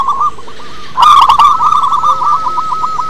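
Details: Local wild-type zebra dove singing, used as a lure to get other doves singing: a rapid staccato cooing trill held near one pitch, with a louder, richer burst of coos about one second in.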